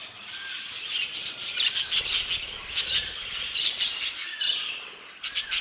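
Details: Budgerigar of a new violet mutation giving busy warbling chatter, with sharp clicking chirps that burst out in quick clusters every second or so over a constant twittering background.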